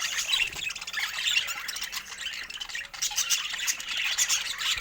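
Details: Budgies chirping as a flock: constant overlapping high, buzzy twitters and squeaky notes, dipping briefly in loudness before rising again.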